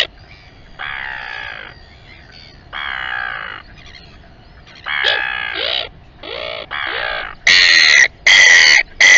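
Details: Royal albatross calling at Taiaroa Head near Dunedin, New Zealand: spaced nasal moans, then quicker arched notes, then loud harsh braying bursts at the end.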